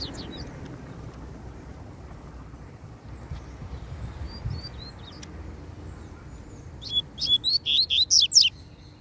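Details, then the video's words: Double-collared seedeater, a loose bird challenging a caged rival: mostly quiet with faint scattered high chips, then a loud burst of rapid, clear whistled notes near the end, about eight quick phrases in under two seconds. "COLEIRO SOLTO QUER PEGAR O DA GAIOLA DE QUALQUER JEITO!!!"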